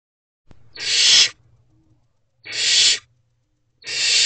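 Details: Barn owlets, four siblings, in a nest box at night around 3:22 am on 1 May 2023: loud broad rasping hisses about half a second long, three in a row with pauses between.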